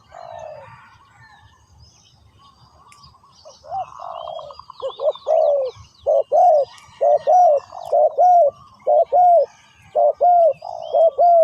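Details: Spotted dove calling as a decoy on the ground to attract wild doves: after quiet rustling, loud hoarse coos build into a steady run of short, evenly spaced husky notes, about one per second, with faint distant birdsong.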